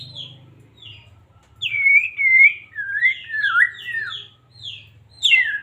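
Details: White-rumped shama from Medan, song played to excite a caged shama and make it sing; a string of clear whistled notes, some long and sliding, others short and high, delivered in quick succession over a faint low hum.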